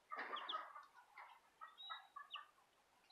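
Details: Chicks of the Southern Rambler and Golden Comet breeds: a burst of lower, throaty clucking notes followed by scattered high, thin chirps over faint background noise.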